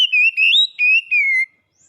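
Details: Contest-champion Oriental magpie-robin (kacer) in song: a loud, clear whistled phrase of four sliding notes, wavering and gently falling at the end.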